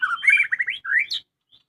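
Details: Household murai batu, a white-rumped shama, giving a short melodious song phrase: a quick string of warbled whistles climbing in pitch, one upward slur and a high sharp note, then silence.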